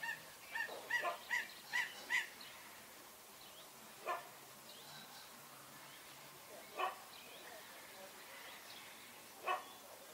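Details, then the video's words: Raggiana bird-of-paradise giving loud, harsh, nasal honking calls, a quick run of five at the start, then single calls every two to three seconds. "Raggiana Bird of Paradise"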